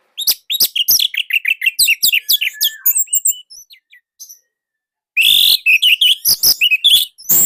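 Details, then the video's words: Orange-headed thrush from Indonesia, in a song recording used to prompt reluctant birds to sing. Long runs of rapid, loud, varied chirps and whistles are split by a short quiet pause, then resume strongly. "Anis Merah Indonesia //Masteran Paling Enak"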